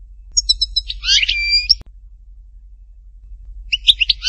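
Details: European goldfinch, Htatba, Tipaza: a string of quick high notes swelling into a buzzy, liquid twitter with a drawn-out whistle, then a pause and a fresh twittering burst.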